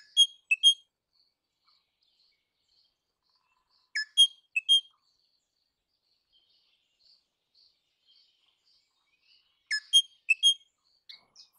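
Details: Crimson rosella calling in short clusters of three or four sharp high notes, each cluster several seconds apart, with quiet chirps between.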